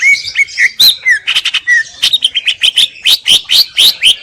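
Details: Greater green leafbird giving slurred whistles at first, then a rapid run of sharp bright notes, about two per second, climbing and falling in pitch.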